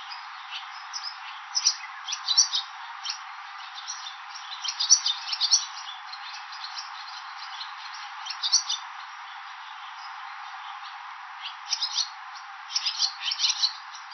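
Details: Swallows visiting a roadside station in Nihonmatsu, Fukushima, Japan, in the May–June breeding season while raising young, give bright, chattering twitters in short clustered bursts over a steady background hiss.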